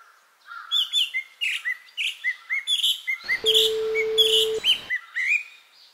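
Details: Japanese white-eye giving complex summer song in mid-July, recorded at close range, a quick, high, tumbling run of thin chirps and twitters with notes crowding together; other birds faintly in the distance, a steady low hum briefly midway.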